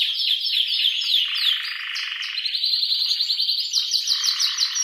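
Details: Male canary giving excited, loud breeding song to stimulate mating and nesting. Fast repeated trills are sung in rolls, dropping from high chirps into a lower rattling tour, then rising again into quick sweeping notes.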